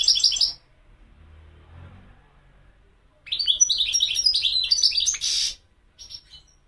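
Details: European goldfinch song: a short twitter at the start, a quiet gap, then a long, varied outpouring of liquid trills ending in a harsh buzzy note.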